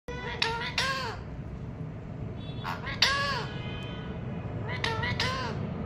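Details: Pet parakeet (tiya pakhi) talking with learned words, giving three bursts of hoarse, arching, strongly harmonic vocal notes near the start, middle and end, over a steady low indoor hum.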